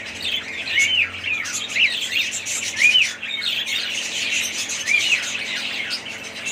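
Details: A flock of budgerigars chirping, with clear rising whistled notes standing out from constant high chatter, over a faint low hum.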